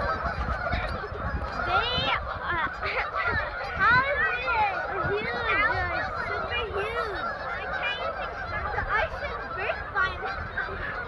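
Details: Large flock of Canada geese on a frozen pond in Kleinburg: many honks rise and fall over each other in a constant clamour, some individual calls standing out clearly, alongside ducks and seagulls.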